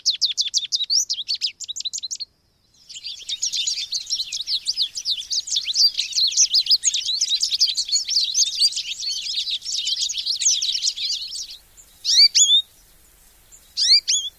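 An American goldfinch sings a long, rambling run of high, quick twitters and warbles for about nine seconds, then gives a few sweet, rising call notes.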